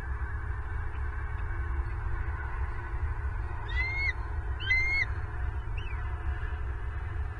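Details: Bald eagle recorded by nest camera at a Southwest Florida nest on 24 November 2022: two high, thin, harmonic-rich squealing notes in quick succession near mid-clip, then a fainter third note, over steady low rumbling background noise.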